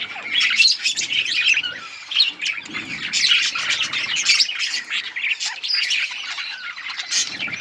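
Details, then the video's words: A group of beautifully coloured budgerigars keeps up a continuous busy chatter of high twittering, trills and short whistled squeaks without pause. "Budgies parrot beautiful colour budgies chirping sounds"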